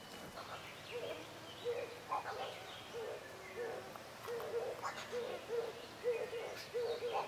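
Common cuckoo giving low, soft two-note cu-coo calls in quick succession, roughly one pair each second, with faint higher chatter from other birds behind.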